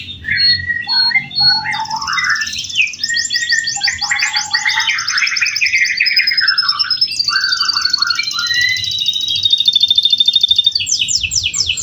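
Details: Home-bred male canary in long-duration song used as training master: varied whistled slurs and warbles drop into lower notes, then give way to sustained buzzy trills and rapid rattling pulses, with faint low rumble behind.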